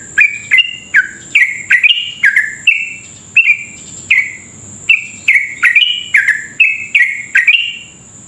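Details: Fast, continuous 'ropel' song of a sooty-headed bulbul meant to provoke rival bulbuls: short, bright, drop-pitched whistled phrases tumbling almost without break, over a steady high electronic-like whine.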